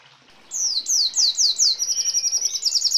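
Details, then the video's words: Red siskin singing in a rolling style, a training recording for songbirds with phrases of sparrow, hummingbird and canary mixed in. Rapid high slurred notes falling in pitch, about four per second, then a fast, even, buzzy trill. "Red Siskin Gacor Ngeroll Isian Gereja Kolibri Rambatan Kenari ❗️Canto Pintassilgo Venezuelano"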